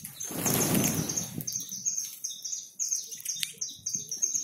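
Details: Saffron finches, a free flock of more than 100 birds being fed in a backyard, give a dense chorus of high, short chirps and tweets after an opening burst of flapping wings, with soft low rustling beneath.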